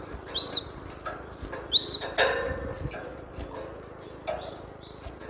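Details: Training lure song of a cinereous tit for captive birds: two loud arched whistled notes about a second and a half apart, followed by faint flat whistles and soft clicks.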